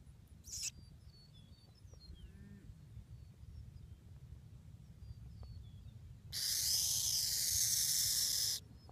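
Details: Almost fledged young Burrowing Owl at a ranch in Florida, displaced from its burrow during flooding, giving the rattlesnake call used to warn away unwanted visitors; a brief hiss, quiet chirps, then a loud, steady rasping hiss lasting over two seconds.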